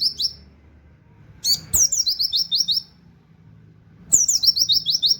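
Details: Oriental white-eye delivering 'tembakan wit wit kenari' song for training cage songbirds. Shrill high phrases: a sharp slurred note, then a fast series of five or six short chips, heard three times across a few seconds.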